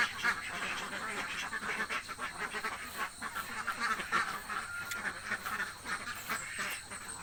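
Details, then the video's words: Many hungry ducks, laying ducks in a village, quacking in a dense overlapping chorus, harsh nasal calls blending into a continuous din with a few sharper clicks and knocks. "duck quack hungry sound effects"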